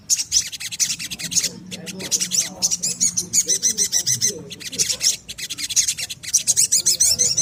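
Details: Little spiderhunter, known locally as sogon, singing in a lure recording meant to spur caged birds into song. Dense, shrill, high-pitched chattering runs almost continuously, broken by a few short gaps, with a faint low background hum.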